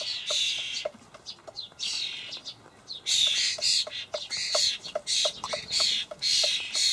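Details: Common starling fledglings in a Hamburg allotment garden begging while fed by adults; sustained hoarse, hissing screeches that swell and fade, with rapid ticking clicks running underneath throughout.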